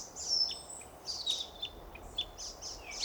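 A European pied flycatcher sings a run of high, thin, sweet notes in quick chirpy phrases over a faint low background hiss.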